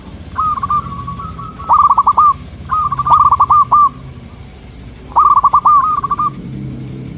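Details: Zebra dove of local type with a soft, melodious voice, used to lure local doves: three loud rolling phrases, each a short trill ending in quick staccato coos, separated by pauses.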